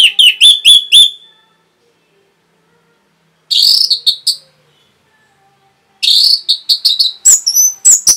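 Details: Orange-headed thrush giving rapid song used to make other birds sing: quick runs of sharp, stacked whistled notes in three bursts, the last a long fast chatter of slurred and buzzy notes.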